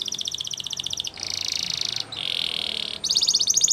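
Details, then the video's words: Spanish Timbrado canary song of steady pulsed trills alternating with smooth buzzy rolls, then a bright rapid trill at the end, with faint low hum behind. "Canary Singing CHAMPION For Training | Spanish Timbrado Song"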